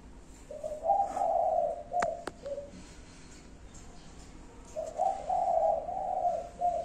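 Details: Spotted dove uttering its five-note coo 'cục... cu cu... cu... cu', two phrases of low soft hoots with a long pause between, plus a couple of sharp clicks in the middle.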